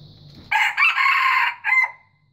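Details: Crow of a white junglefowl, loud and raspy, in three parts: a clipped first syllable, a drawn-out steady central phrase, and a short final note with a thin fading tail, preceded by faint low rumble.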